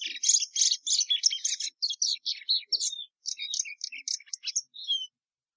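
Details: Plumbeous seedeater (patativa verdadeira) singing a rapid run of high buzzy and chirping notes with short whistled slurs, phrases packed closely and pausing briefly before a final few falling whistles.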